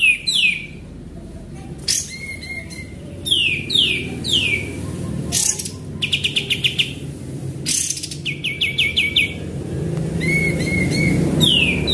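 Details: Sooty-headed bulbul song used as a lure: clear descending whistled slurs and short rapid series of sharp notes, repeated phrases over steady low background hum and rustle.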